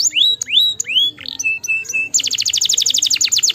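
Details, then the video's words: Canary song, played to stimulate lazy canaries to sing: loud upward-sweeping whistled notes and a few short level tones, then a fast, even trill of sharp repeated notes, roughly fifteen per second, filling the last second and a half. "stimuleer heel snel het geluid van luie luie kanaries"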